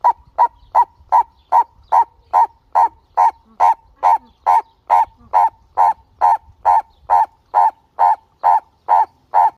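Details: A tame male purple-crested turaco gives a long, steady series of loud, hoarse 'kow' notes, about two per second, over a faint low rumble.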